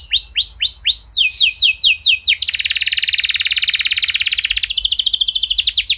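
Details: Canary singing to trigger song in other canaries: spaced falling whistles speed up into a long continuous rapid trill, ending in quicker downslurred notes, over faint low background hum.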